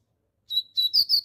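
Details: Brown-plumaged double-collared seedeater singing loudly: a brief high phrase of a thin held whistle followed by quick sharp chirped notes, with no other sounds.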